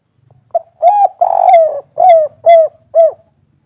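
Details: Energetic 'kuk 3' cooing of a local spotted dove for luring captive birds to call: a brief opening note, a long buzzy coo gliding downward, then three mellow hooked notes in steady rhythm, over a faint low hum.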